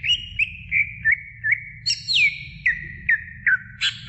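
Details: Greater green leafbird song used to stimulate young birds: clear whistled notes around a steady pitch, short upward flicks repeated about every half second, with a higher sliding phrase midway; low hum underneath.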